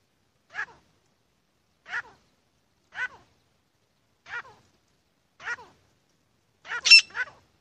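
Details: Grey francolin, known as Irani teetar: short harsh notes repeated about every second, five alike, then a louder double note near the end, against silence.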